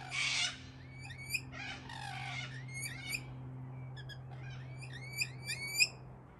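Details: Wild rainbow lorikeets going wild as cockatoos swoop overhead, giving harsh, grating screeches mixed with quick shrill chirps and squeaks, in bursts every second or two over a steady low hum.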